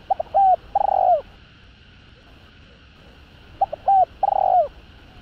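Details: Calling spotted dove with a voice suited to stirring up wild males: two matching phrases roughly three and a half seconds apart, short clipped notes leading into a drawn-out hollow coo that sinks at the end.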